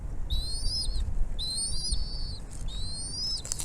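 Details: Bald eagle at the nest as the mother brings food to feed her chicks: three high, thin whistled calls, each rising slightly then held level for about half a second, spaced about a second apart, over a low steady rumble.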